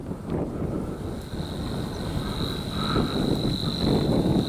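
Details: Savi's warbler (Locustella luscinioides) reeling at de Groene Jonker: a steady, fast, insect-like buzz held unbroken throughout, partly buried under heavy wind rumble.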